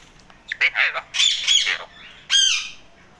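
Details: Male Indian ringneck parakeet kept as a pet, happy. Rapid harsh squawks run together into a chattering burst, a short pause follows, then one strong, bright screech closes.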